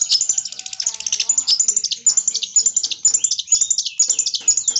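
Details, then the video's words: Long-tailed shrike imitating a lovebird, combined with kapas tembak phrases: continuous, very high twittering chatter packed with rapid squeaks and a few downward-sliding whistles. "cendet gacor suara Lovebird sambung kapas tembak"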